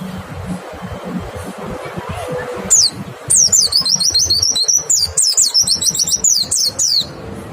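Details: White-eye song used as a lure to make other white-eyes sing: after a quiet start, rapid high twittering phrases of thin descending and rising notes run for several seconds, with low background rumble throughout.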